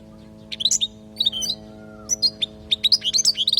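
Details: European goldfinch from Palestine giving teaching song for youngsters, here in scattered bursts of sharp twittering chirps separated by short gaps, becoming denser toward the end over a faint constant hum.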